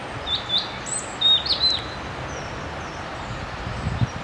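A European Robin gives short, thin, high-pitched phrases of sweet whistled notes, some sliding and trilled, spaced over a few seconds against a soft, steady background hiss.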